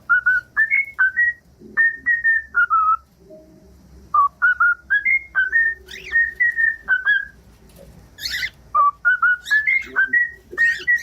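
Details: Cockatiel whistled song meant to teach other cockatiels to sing: a quick run of short, clear whistled notes that step up and down in pitch, a brief pause, then more whistled phrases mixed with a few harsh squawks.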